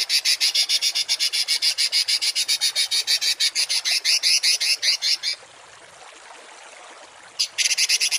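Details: Songbird masteran of rough 'tembakan' shots for home and contest cage birds: a long fast chain of buzzy rasping pulses, a gap of near silence, then a short renewed burst.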